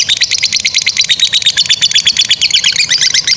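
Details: Lovebird chattering song meant for training other lovebirds: a dense, harsh burst of rapid high squeaks and chips, slightly ragged in rhythm, with no pause.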